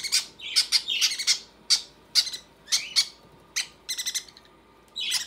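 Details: Conure young being fed by their mother give a rapid stream of short, harsh squawks, several per second at first, then sparser, rattling bursts.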